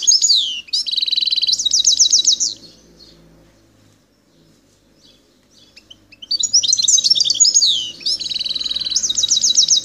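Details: Wild goldfinch from Algeria's El Tarf region singing at Bouteldja: rapid, repeated metallic notes forming buzzy trills in long runs, a quiet pause, then a second energetic phrase of chirps and rattling trills, over a faint low hum.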